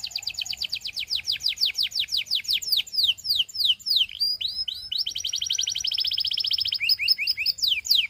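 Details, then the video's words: Canary in continuous song: long runs of rapid high trills change pace repeatedly, with rising and falling slurred notes between them. A dense buzzing rattle sits in the middle, and quick chirps close the phrase. "Get Ready To Be Amazed By The Incredible Sound Of This Special Canary"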